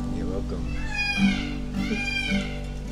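Peacocks give loud, nasal, meow-like wails in the background, two in about three seconds, over soft music and a voice speaking.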